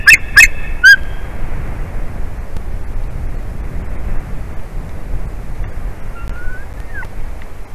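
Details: Adult male white-tailed eagle calling a lot at the nest as his mate returns, April 8, 2021, early afternoon. Three loud, sharp, ringing yelps come in the first second, then steady broadband noise with a few faint thin notes near the end.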